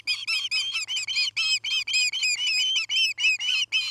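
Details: Montana osprey at its Charlo nest, nest camera, 9 August 2018: a fast, nearly continuous string of loud whistled chirps, several per second, each with a slight upward curl, over faint low hum.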